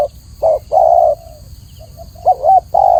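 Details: Spotted dove song from Indonesia: a short coo and a long level coo, a pause with soft faint notes, then a wavering two-part coo and another long coo, all low and mellow over quiet hiss.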